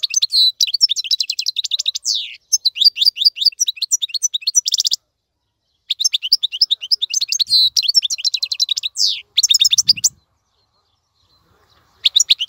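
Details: European goldfinch song meant for tutoring young birds, bursts of rapid twittering and buzzy trills separated by short silences, with a longer quiet stretch near the end before the song starts again.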